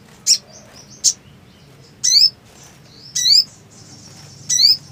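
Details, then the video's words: Black sunbird in breeding condition, used to prompt a quiet bird to sing: five shrill high chirps, the later ones longer with a bent, sliding shape, spaced about a second apart. "SOGON GACOR BIRAHI TERAPI MACET"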